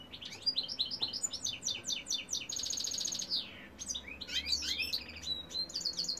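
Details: European goldfinch male singing a fast sequence of high chirps, a sustained buzzy trill, then jumbled liquid twitters and whistled slurs, clear and close.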